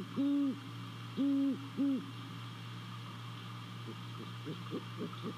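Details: Great horned owl at a nest cam in Savannah, hooting at 02:39 at night on 28 December 2020: three deep, mellow hoots within two seconds, then a run of fainter, shorter notes, over a steady low electrical hum.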